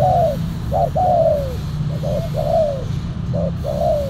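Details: Spotted dove luring with a silver decoy bird bearing a black collar: loud hoarse coos, a short note then a long falling drawl, repeated in phrases, over steady low-frequency hum.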